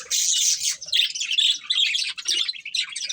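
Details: Two budgies kept as a breeding pair, singing a steady stream of high, scratchy warbling chirps with almost no pauses, about two bursts a second.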